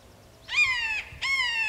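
Red-shouldered hawk giving two harsh, ringing screams about half a second apart, each slurring slightly downward; otherwise quiet.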